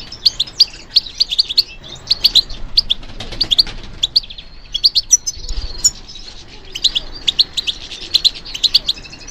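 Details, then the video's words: European goldfinch, a bird trained to respond to stimulation, delivering continuous high, jingling twitters and trills in dense phrases, with a soft low bump near the middle. "How to encourage the goldfinch to respond to stimulation"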